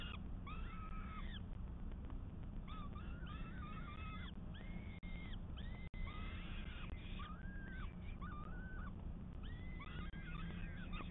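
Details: Peregrine falcons on a live nest camera, 12 May 2022, give drawn-out, arching wailing calls, several overlapping and repeated about once a second, over a steady low rumble of wind or traffic.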